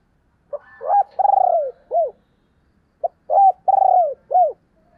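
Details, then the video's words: Spotted dove in 'thúc + gáy gọi' calling: two clear phrases about two seconds apart. Each has a brief lead note, a rising coo, a long pulsing falling coo and an arched final coo. "tiếng cu gáy/ thúc + gáy gọi"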